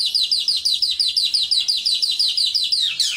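A Mongolian lark sings a fast, even series of high, downslurred chirps, about five a second, ending in one longer falling slur.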